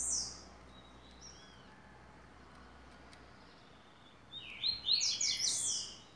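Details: Coleiro singing the 'tui tuí' song style, used as tutoring notes for training: after faint scattered chirps, a burst of high, rapid twittering and buzzy notes in the last two seconds over quiet background hiss.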